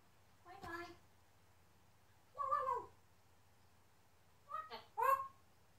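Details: Male pet African grey parrot speaking his new favourite words: four short, voiced, speech-like utterances with rising and falling tones, spaced about one to two seconds apart, in a quiet indoor setting.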